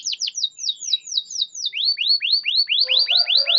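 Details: Canary singing as a lure to start quiet, reluctant canaries: rapid high downward-sweeping notes in a steady series, then a slower string of lower rising-and-falling slurred notes, with a faint buzzy chatter near the end.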